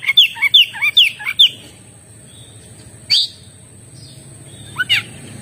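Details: Oriental magpie-robin song: a quick run of bright whistled slurred notes, some rising and some falling, about five in the first second and a half, then a pause with a few isolated sharp upswept notes, and a steady high hum.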